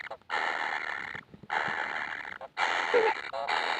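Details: Hungry kingfisher chicks give three long hoarse, hissing rasps, each about a second long, with brief pauses between them.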